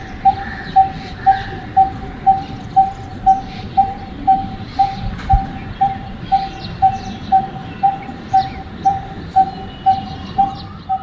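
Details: Coppersmith Barbet, near homes in a noisy city, repeats a hollow, metallic 'tuk' like coppersmiths hammering metal, on one steady pitch, about two notes a second, evenly spaced; faint other birds and a low rumble behind.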